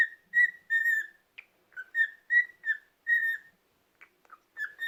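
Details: Resting-day song of a pet cockatiel, a string of evenly pitched whistles, some longer and wavering, interspersed with a few short chirps, in an otherwise quiet room.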